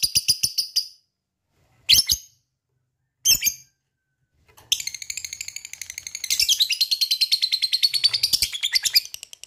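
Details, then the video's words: Lovebird in 'ngekek' mode, used to set other lovebirds singing: three short separate shrill bursts with silent gaps, then a sustained rapid pulsed chatter that grows louder and denser. "Lovebird mana yang gak bakal nyaut bila mendengarkan ini,gacor rajin ngekek panjang"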